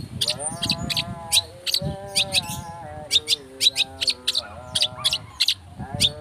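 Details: Long-tailed shrike in fast, tight 'speed rapet' style, used as a lure to provoke singing: harsh, buzzy chattering bursts, about three per second, over a low droning, gliding tonal hum.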